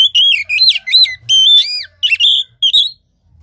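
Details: Oriental magpie-robin song used to stimulate a lazy caged bird that has stopped singing and lacks breeding drive: loud, clear whistled phrases with swooping rises and falls, repeated in short bursts separated by brief pauses.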